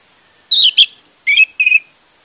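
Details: Song of an orange-headed thrush, played as a lure to prompt a bird that has stopped singing: two pairs of bright whistled notes, the first sliding down from high to mid pitch, the second more level and warbling, clean background.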